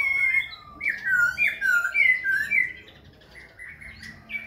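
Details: Khe Sanh laughingthrush, dancing as it sings and switches voice, delivers a loud fluty run of rapid, wavering whistles that fades into softer notes.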